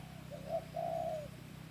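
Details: Spotted dove lure call used as a tutor sound for captive doves: a short, soft cooing phrase of two low hooting notes, the second longer and steady, over a faint low hum.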